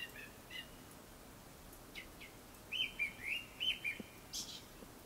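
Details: Japanese thrush song before sunset: soft scattered notes, then a bright run of rising and falling whistles, closing with a brief high squeak.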